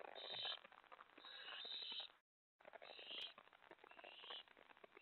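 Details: Five owlets on a porch, tray and lookout, 2:50 AM on 25 May 2017, while a mouse is delivered; loud, drawn-out breathy screeches follow one another, broken by a brief silent gap midway.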